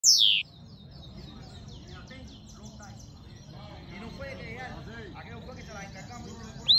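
A goldfinch mule sings a fast, high, tinkling twitter of quick repeated notes, opening and closing with loud downward-swept whistles; faint other chirps underneath.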